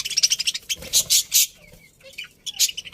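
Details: Happy budgerigars in a pet colony, a fast run of high chirps followed by loud harsh chattering notes, a brief pause with soft whistles, then renewed chirping.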